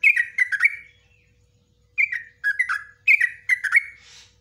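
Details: Yellow-vented bulbul delivering ropelan song meant as training material for kept bulbuls. Quick clusters of three liquid, chirpy notes are separated by a short silent gap, then two more fast clusters follow.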